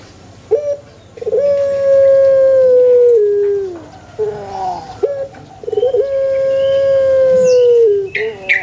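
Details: Male Barbary dove sings two drawn-out, mellow coos a few seconds apart, each held level and then sinking lower, with soft throaty notes between them.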